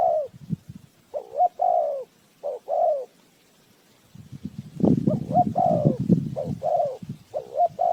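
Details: Spotted dove decoy cooing to lure birds into a trap: two-part coos, a short note then a longer falling one, in quick phrases, with a burst of low rustling and knocking midway.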